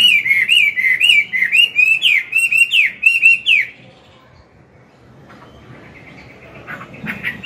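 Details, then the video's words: Loud morning song of an old wild-caught Chinese hwamei in forest voice, used to excite newly caught birds: a dense run of repeated looping whistles for about three seconds, then near silence with faint distant notes. "Luyện giọng họa mi hót sáng, kích bổi mau căng lửa."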